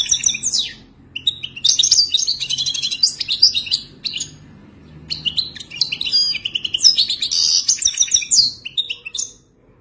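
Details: European goldfinch giving wild-type mating song: long bouts of fast high twittering with buzzy trills and sharp slurred notes, broken by brief pauses, no other sounds.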